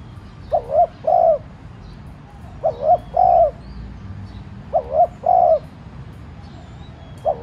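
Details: Spotted dove decoy bird cooing to stir other doves into calling: three-part phrases, two short rising coos then a longer steady one, repeated about every two seconds; faint high bird chirps behind.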